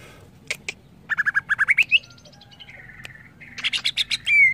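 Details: Greater green leafbird song for training young birds to sing: a few sharp clicks, a run of rising chirps ending in an upslurred whistle, soft warbling, then a final burst of bright notes.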